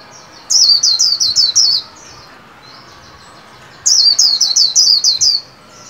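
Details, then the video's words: White-eye caged for singing practice, new year: two bursts of high, sweeping downslurred whistles, roughly seven notes each, separated by two seconds of quiet; a lively 'líu' chatter of tightly spaced falling notes. "Vành khuyên líu hay"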